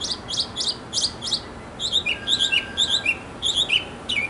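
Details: A male mockingbird singing in a backyard to draw a female: sharp paired notes repeated several times, then a quick stream of varied high chirps.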